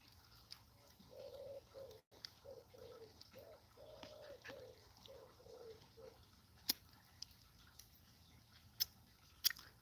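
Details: Pigeons coo in soft, low, hollow notes, a rolling phrase of about a dozen hoots over five seconds, heard on an evening by a crackling campfire in Cornwall in the heat, the fire popping sharply afterwards.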